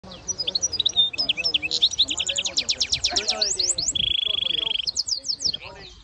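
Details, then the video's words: European Goldfinch × Canary hybrid (goldfinch mule) singing a bright, fast twittering song of high tinkling notes and buzzy slurs, with a steady rolling trill lasting nearly a second. "European goldfinch Singing x Canary"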